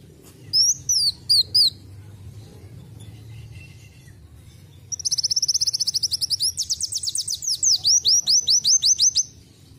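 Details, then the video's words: Brown-throated sunbird singing canary-like phrases it has picked up: a few brief high chirps, a pause, then a fast run of thin high notes turning into steeply sweeping slurs for about four seconds over faint low background hum. "akhirnya isian burung kenari masuk .KOLIBRI WULUNG RASA KENARI"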